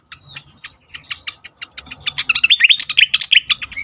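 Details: Worked-up fantail, used to lure and rouse birds. Scattered short ticks build into a dense, loud burst of quick chirps and upslurred whistles in the second half.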